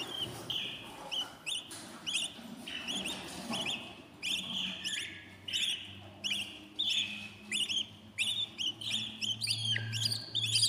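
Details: Budgerigar nestlings at day 14 in a new nest make soft chirps and short downslurred squeaks in irregular groups, a low hum underneath and a few raspy notes.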